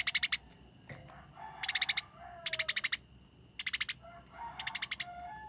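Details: Eurasian tree sparrow used as a master bird, fighting, giving loud, clear, continuous chattering song: bursts of rapid harsh repeated chirps about every second, each burst five or six notes, with short pauses between.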